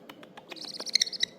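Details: A pet parrot, one of a singing pair kept indoors. Soft clicks lead into a bright, high-pitched chirping warble of quick repeated notes that grows louder toward the end.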